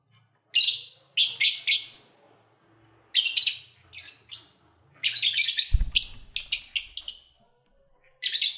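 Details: Lovebirds recorded in February 2019 as they eat, sing and play; loud, harsh high chirps come in rapid series, groups of two to five, with a faint low knock and hum beneath.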